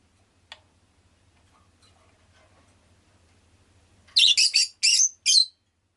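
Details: Near silence with a faint hum and one brief tick, then a rosy-faced lovebird bursts into five rapid, shrill, buzzy chirps in quick succession.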